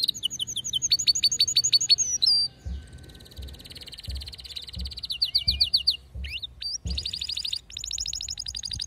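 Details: Excited, fierce singing of a male canary: rapid trills of sharp, repeated upslurred notes, a brief gliding whistle, then faster rattling rolls and buzzy trills. Low thumps sound in the background.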